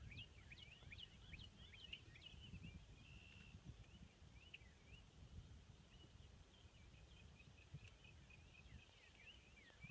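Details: Ruddy Turnstones at Four Rivers CA, Vernon County, Missouri, give quick, high chattering notes in loose bursts throughout, over a steady low rumble of wind or surf.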